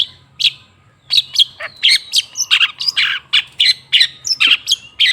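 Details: Long-tailed shrike (cendet) song meant to stimulate a silent bird: a busy jumble of scratchy, buzzy high notes and short whistled slides, nearly continuous and varied in pitch, with a faint low hum beneath.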